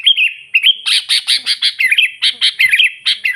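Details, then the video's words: Sooty-headed bulbul singing constantly to draw in wild bulbuls: an opening warbled phrase, then dense scratchy chatter notes pulsing about five per second over a faint continuing liquid warble. "suara burung kutilang gacor memanggil kutilang liar suara asli alami"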